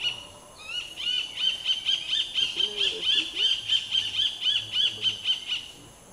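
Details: Black-fronted Nunbird on the Amazon River giving a rollicking run of loud, bright notes, about four to five per second for five seconds, with a faint low murmur underneath.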